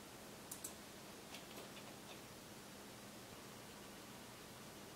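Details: Steady hiss of room noise with a few faint ticks near the start and no animal voice.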